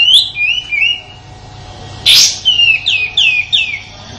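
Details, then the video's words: Sooty-headed bulbul tutor song from Indonesia, used for white-rumped shamas: a few descending whistled slurs, a loud harsh burst, then a quick series of downslurred whistles. "Suara tembakan kasar kapas tembak untuk masteran murai batu dan burung kicau lainya"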